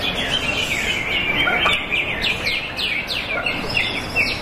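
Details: A greater green leafbird that won first place in a silver-class singing contest on 19 February 2023 sings a fast, high run of chirps and sharp downslurred whistles, with other birds calling close by and steady background noise.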